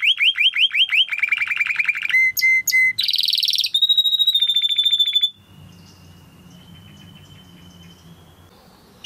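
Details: Timbrado canary singing, recorded to train canaries: rhythmic repeated swooping notes, a lower rattle, brief bell-like phrases, then a long steady whistled trill fading into soft room noise.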